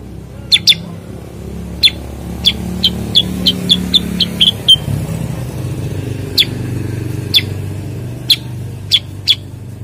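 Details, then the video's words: Common Iora (cucak kurincang) giving spaced high, clipped notes, then a quicker run of chips, then more single notes every second or so; continuous road noise underneath. "kicau cucak kurincang"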